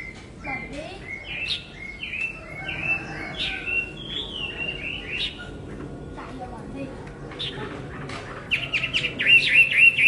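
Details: Chinese hwamei song of varied whistled notes, some rising and some falling, given in short bursts and ending in a rapid run of high wavering whistles. Soft background chatter throughout.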